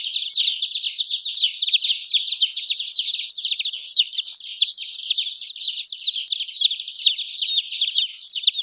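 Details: Baby chickens keep up a busy chorus of high piping chirps, many falling notes overlapping, the loudness rising and dipping slightly throughout.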